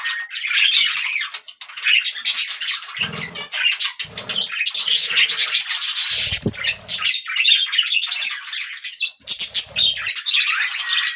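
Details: A flock of budgies chatters nonstop in scratchy high warbles and chirps. A few short low thumps or murmurs sound in the middle.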